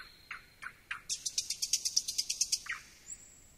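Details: A thrush nightingale gives three low swooping notes, then a rapid run of about fourteen loud, clicking, high notes, closing with a low note and one high, drawn-out whistle.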